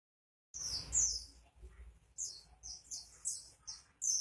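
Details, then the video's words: Oriental white-eye in full 'gacor' song: after a brief silence, bursts of very high, squeaky twittering phrases come in quick succession, separated by short pauses, over faint low rumble. "burung pleci gacor"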